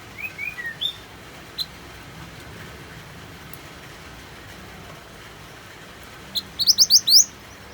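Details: Singing mantenan white-eye set against rain sounds: soft descending slurred notes at the start, a lone high chip, then after a pause a quick burst of bright upward-sweeping whistles over constant background hiss.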